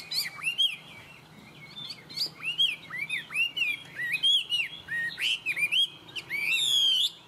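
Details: A tame Chinese hwamei pours out varied whistled phrases, rising slurs and down-curving notes mixed with crisp high chips, ending in a long rapid trill; a faint low hum runs beneath.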